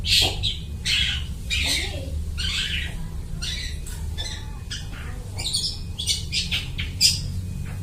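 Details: Long-tailed shrike in full voice imitating other birds, used as a lure for catching birds; harsh, scratchy bursts of chattering notes, each under a second, repeated irregularly over a steady low hum.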